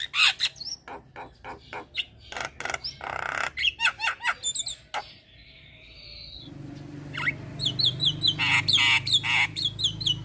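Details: Javan myna in a full-fill lure song: a rapid chatter of clicks and scratchy notes, a pause with a thin whistled tone, then bright squeaky whistles repeated over a humming background.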